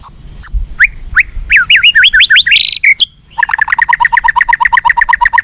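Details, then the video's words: White-rumped shama song used to make captive birds more responsive and combative: loud varied whistles and sharp rising sweeps, then a fast even series of about twenty-five clipped repeated notes. "SUARA BURUNG MURAI BATU FIGHTER"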